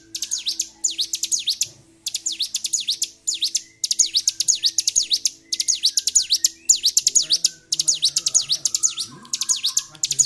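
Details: Excited Bar-winged prinia singing on and on, recorded 26 February 2023: short bursts of four to six piercing, high V-shaped notes separated by brief gaps, over a faint low hum.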